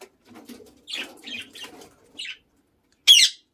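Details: A lutino Indian ringneck parakeet gives four short, raspy squawks about half a second apart over low mumbling chatter, then after a pause one loud, harsh screech.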